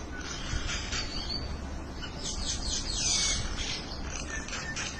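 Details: Birds conversing with a steady stream of high, thin chirps and twitters, several voices overlapping, set against a low constant rumble of background noise.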